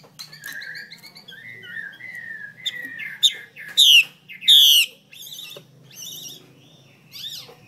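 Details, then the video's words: Female Chinese hwamei calling to stimulate a male to sing fully and in many voices. Soft whistled and chirping notes, then two loud, harsh, buzzy bursts in quick succession, followed by quieter scattered chirps over a low background hum. "Tiếng mi mái hay trùy trống căng như dây đàn"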